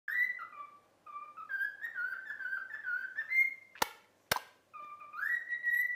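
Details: Pet cockatiel whistling the learned tune "If You're Happy and You Know It" after training: clear whistled notes stepping between lower and higher pitches in a lilting phrase, two sharp clicks mid-way, then the whistling resumes with a rising note.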